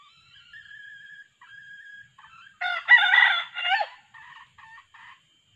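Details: Red junglefowl crowing as a male decoy and female calls lure wild birds: thin sustained notes build into a loud, harsh, multi-part crow burst, followed by several short clipped syllables, against a quiet background.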